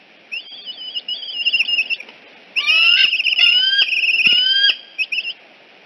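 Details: Eagle calls at Decorah nest N1 at dawn, 14 September 2018, as a returning fledged juvenile is escorted away; high piercing whistled chatters run in long quavering bursts, with a few sliding notes and faint knocks.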